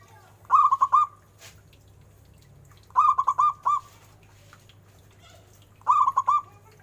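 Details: [4, 'Local zebra dove, prized for its big voice. Three rolling coo phrases come about every two and a half seconds, each a rapid run of four or five notes ending in a drawn-out note. Faint clicks sound between phrases.']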